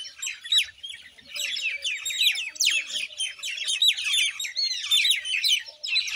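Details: Common Indian myna: steady, busy chatter of squeaky whistles, slurred chirps and harsh rasping notes, growing louder after about two and a half seconds.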